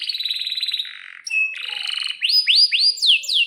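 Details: Canary in energetic lure song with rolls: a fast buzzy trill, a shorter lower trill, then a run of loud, sweeping down-slurred whistles repeated about four times a second.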